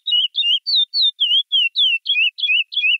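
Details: A chestnut-bellied seed-finch (curió) sings a classic "praia" song, recorded directly from the bird without noise removal: a clear, sweet phrase of about ten whistled notes, each slurring down or up, at roughly three notes per second. No other sounds.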